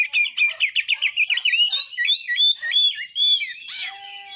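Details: Song of a kacer (white-rumped shama) used to incite shamas to sing and fight: rapid series of bouncing whistled notes, looping slurs, then a brief harsh rasp and a low steady tone.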